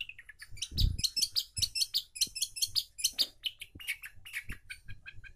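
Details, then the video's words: Long-tailed shrike singing vigorously, used as a lure to prompt a silent bird to sing: a fast, dense stream of high chirps, trills and squeaky notes, with short low thumps in the background. "CENDET GACOR..‼️ pancingan macet bunyi di jamin ampuh"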